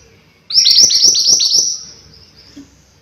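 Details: Mountain white-eye in full, lively song: a quick run of about six bright, high, downward-sliding notes packed into roughly one second, then a trailing thin twitter and near silence.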